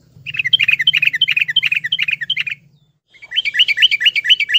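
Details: Yellow-vented bulbul lure recording, played to prompt a silent bird to sing: a quick run of bubbly, looping whistled notes, about four per second, then after a brief pause another rolling series, over a low hum.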